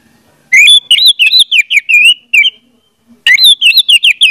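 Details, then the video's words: Song of the orange-headed thrush, used to coax a silent bird into singing: a long run of rapid, warbled whistles wavering up and down, then a second quick burst after a brief gap. "audio suara anis merah || pancingan ampuh untuk ania merah membisu"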